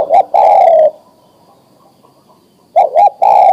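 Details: Mature male spotted dove calling to a female for mating: a short coo and a long falling coo, a quiet pause, then a quick double coo and another drawn-out coo.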